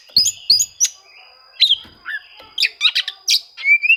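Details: Oriental magpie-robin rival-seeking song, used to stir reluctant birds into singing: scattered sharp chips and short whistled notes, ending with a clear rising whistle.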